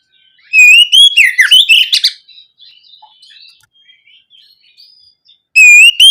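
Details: Oriental magpie-robin (kacer) singing openly and loudly as a lure for young birds: a whistled phrase with a swooping dip and chattering end, quiet faint warbling afterwards, and another phrase beginning near the close.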